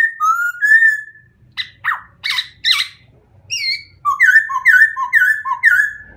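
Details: White-crested laughingthrush song: loud clear whistled phrases around mid pitch, slurred notes, harsh broadband chattering bursts, then a run of five rising-and-falling whistled notes repeated about twice a second; faint low hum beneath.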